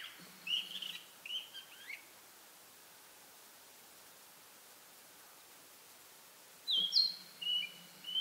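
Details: Narcissus flycatcher perched on a pine branch in a spring pine forest, singing hard to claim territory: a short burst of bright whistled and warbled notes, a pause of about five seconds, then a second clear whistled phrase.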